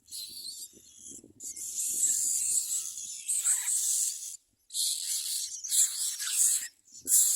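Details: Common myna chicks giving harsh, hissing, raspy begging calls in long bursts broken by brief pauses as adults bring food, with faint low rustling at the start.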